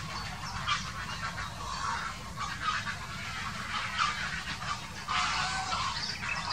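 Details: Quarrelling grey herons, 2018: rough, hoarse squawks come in irregular bursts roughly once or twice a second, grating and croaky, set against steady low rumbling background noise.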